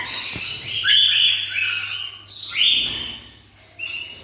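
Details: A pet black-winged (blue-cheeked) lory in Bhubaneswar, Odisha, gives harsh, screeching squawks in two long bursts, then a shorter one, all high and grating with a rasping edge.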